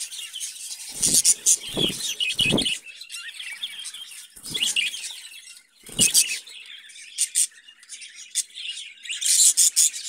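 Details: Caged budgerigars squeak and chirp in bursts of shrill, scratchy warbling, broken by repeated low thuds and knocks from the cage.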